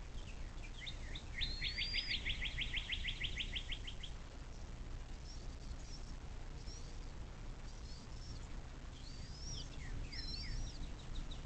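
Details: Nest cam on a bald eagle nest by the Little Miami River in southwest Ohio near South Lebanon, USA, 06.04.2024 at 17:23: a loud, fast string of high, piercing chitter notes lasting about three seconds, then faint scattered chirps and steady low hum.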